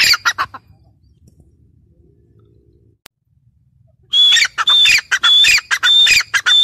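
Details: Calls of a female grey francolin: a few brief squawky notes, then around three and a half seconds of near silence before a fast run of harsh, whistle-toned notes repeated in quick succession.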